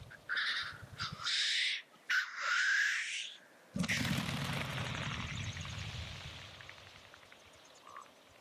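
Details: Black grouse lekking display: three harsh hissing bursts in quick succession, followed by a broad rushing, fluttering noise that slowly fades away.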